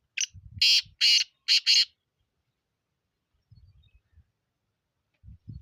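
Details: Black francolin calling: a short burst of five harsh, grating notes within about two seconds, the middle notes loudest and longest, followed by quiet with faint low rumbling sounds.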